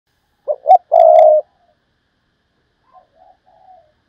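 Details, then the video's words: Decoy spotted dove giving 'thúc bổi' style calling to lure wild doves: two short clipped notes, then one long low hoarse coo, followed by faint distant coos in quiet surroundings. "tiếng cu mồi thúc bổi, cu gáy mồi cây"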